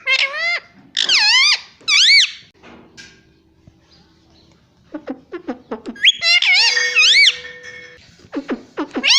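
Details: Pet green ring-necked parrot kept at home, mimicking speech such as 'mummy' and 'papa': loud bursts of harmonic, wavering screechy syllables, pausing midway with faint background murmur before quick clipped notes and more drawn-out rising-falling calls.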